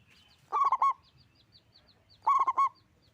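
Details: Local zebra dove singing loudly and steadily, giving two bursts of quick, rolling cooed notes about two seconds apart, with faint high twittering from other birds in the background.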